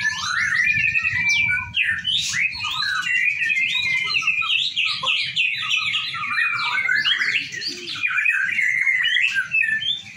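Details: Sustained white-rumped shama song from a group training session: energetic, tumbling medley of whistles, trills and clipped chirps delivered almost without pause for ten seconds, a low droning hum underneath.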